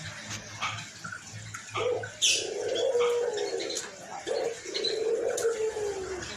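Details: White albino collared dove with a rough, hoarse voice: two sustained low coos, each opening with a brief rising note, separated by a short pause. Sparrow-like chirps scatter above.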